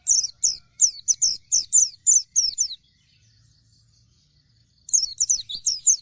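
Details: Vigorous gacor singing from an Oriental white-eye of the dakun type: a rapid series of high, clipped, descending twitters for nearly three seconds, a two-second pause, then another quick twittering burst.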